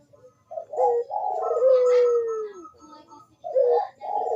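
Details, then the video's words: Cooing Barbary dove (burung puter) meant to stimulate doves reluctant to sing: short throaty coos leading into a long, smooth, slowly falling cooing note, then more rough coos after a brief pause. "KUK DERUK BURUNG PUTER GACOR MANGGUNG ‼️PANCINGAN AMPUH UNTUK BURUNG PUTER YG MALAS BUNYI"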